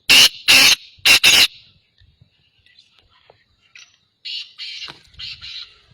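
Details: Black francolin calling: four loud, harsh, grating bursts in quick succession, then a quieter stretch with scattered faint notes and a final run of rasping, buzzy phrases.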